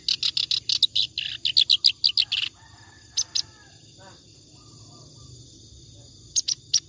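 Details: Ngacor song of a clamorous reed warbler, used to train other birds: burst of fast, harsh chattering notes for about two and a half seconds, then near silence with a couple of isolated notes.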